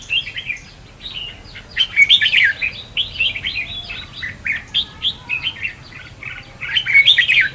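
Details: Red-whiskered bulbul (chào mào) in competitive singing, used as decoy song for trapping and for training birds: lively warbled phrases of short, varied, bubbling notes in quick bursts, with brief pauses between runs.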